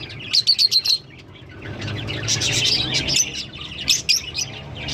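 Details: A pair of green Fischer's lovebirds give a burst of four sharp, high chirps, then a dense run of shrill, squeaky chattering and twittering, with a low hum beneath.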